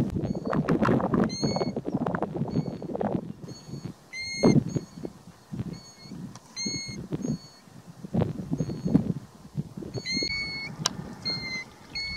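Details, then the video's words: Golden plovers on the Hardangervidda mountain plateau in Norway give clear, single whistled notes, steady to slightly falling, scattered about once a second. A loud, low, thumping rumble runs underneath throughout. "Golden Plover - Heilo (Pluvialis apricaria)"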